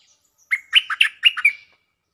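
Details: Caged stripe-throated bulbul singing as a lure bird: one bubbly phrase of five quick warbled notes, with a short thin whistle trailing at the end, in a quiet setting.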